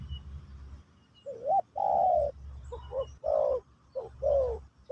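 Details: Spotted dove, Pesom or Kacuk style, in a teaching session for a new bird: a rising coo, then a long mellow note and several shorter dipping coos in spaced groups, with steady low background noise.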